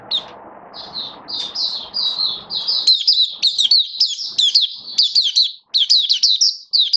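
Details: Caged oriental white-eye (mata puteh), recorded 21 October 2022 on its first day on a song-display booster: thin high notes over background noise, then a clear run of rapid, bright, slurred chirps in quick bursts.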